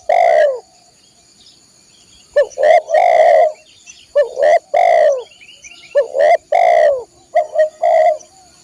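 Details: Spotted dove song used as a training recording for caged birds: deep, mellow coos in repeated phrases, two short notes followed by a longer drawn-out coo, each phrase about every 1.5 to 2 seconds.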